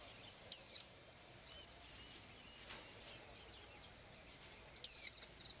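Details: A blue-eyed little bird, singing as it does each day, utters two brief, bright descending whistled notes about four seconds apart, with faint soft chirps and hiss between them.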